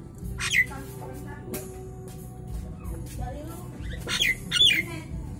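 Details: In the afternoon, a Nias hill myna gives loud, harsh squawks and a few sharp whistled notes in bursts over a steady low background hum.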